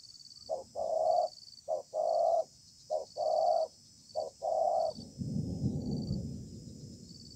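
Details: Wild spotted dove in a contest under a communal stilt house, praised as good-voiced with a sparse song: four cooing phrases, each a short low note then a longer throaty coo, followed by a low rumbling noise.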